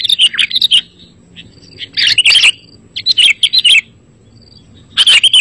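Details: Bulbul song used as lure audio to make sooty-headed bulbuls answer: short groups of rich, tumbling chirps come in bursts about a second apart, with quiet gaps between them.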